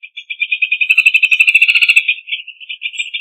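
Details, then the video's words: Rufous hornero song: a loud, ringing chatter of rapid notes that swells fuller and denser in the middle, then slows and fades at the end. "Hornero Canto! Hornero Llamado! Hornero Sonido! Hornero Cantando!"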